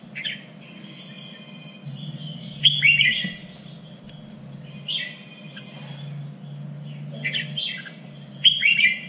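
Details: Red-whiskered bulbul contest song recorded for training birds: scattered warbled whistles and chirps at intervals, a faint thin tone between phrases, low hum in the background.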